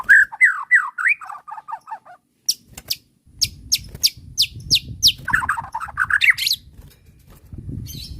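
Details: White-rumped shama song used as provoking bait: varied whistled phrases, falling slurs and trills, then sharp high ticking notes and a rising warble, with low background rumble.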